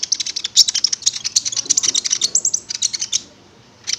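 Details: Konin (prinia) lure song for prompting the bird to sing: continuous fast, high, chattering ticks for about three seconds, a short pause, then a new burst.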